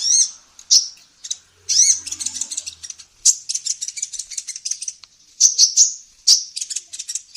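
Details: Female olive-backed sunbird singing energetically as a tutor for songbirds: high rising whistles followed by long bursts of rapid, scratchy twittering with a few short pauses.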